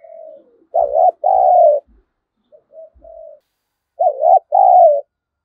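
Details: Lure spotted dove calling to provoke wild doves to fight, in the deep 'giọng thổ' voice style. Low throaty coos come in two-part phrases, a short note then a longer falling one, with a softer quieter phrase between.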